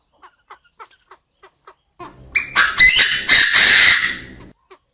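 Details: Chinese francolin pair in an aviary, the male crowing and the female clucking: soft evenly spaced clucks, then a loud, scratchy crow of several harsh bursts, ending with one soft note.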